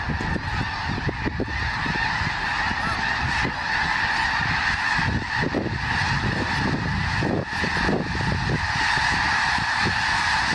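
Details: Whole flock of snow geese lifting off at Fir Island, Washington, in February 2022 when an eagle passed overhead: a continuous wall of overlapping nasal honking from many birds, with low rumbling of wings beneath.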